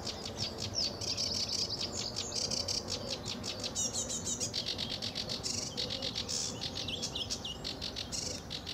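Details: Sedge warbler singing its heart out at RSPB Fowlmere, early morning, July 2013, blue sky: a dense, unbroken jumble of harsh chatters, buzzes and squeaky twisting notes at a fast pace.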